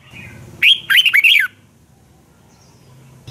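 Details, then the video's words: Red-whiskered bulbul's competitive morning song, used to spur other birds into singing: a single rapid burst of four or five looping, warbling notes lasting under a second, then near silence over a faint low hum. "Luyện chào mào hót sáng hay Dùng để thúc bổi căng hót, ép giọng rất hay, chào mào hót đấu"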